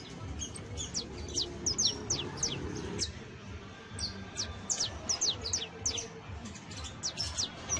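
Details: Saffron finch singing, offered to help train Creole canaries: bursts of sharp, high, falling chirps, with a short pause near the middle, against low background noise.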